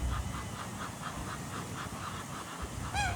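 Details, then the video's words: Ducks at Jardin aux Canards, Monaco, on a morning: a duck gives a quick run of soft, nasal quacks ending in a sharper, falling call, over a steady low rumble of water. "Relaxing Duck Sounds"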